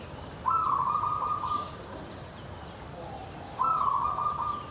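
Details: Local-type zebra dove in full song, giving two cooing phrases about three seconds apart. Each opens with quick pulsed notes and ends in a drawn-out, level, slightly buzzy coo. A noisy hissing background lies underneath.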